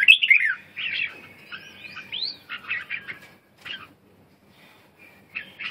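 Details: Loud slurred opening phrase from a red-whiskered bulbul, followed by upswept whistles and clusters of quick chirps, then a pause and a final short burst of notes.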